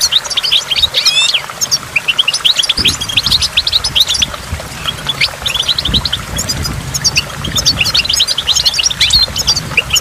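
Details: Ten seconds of goldfinch song at a waterfall: a fast descending trill opens dense, tinkling high twitters that continue without a break, backed by a low water roar.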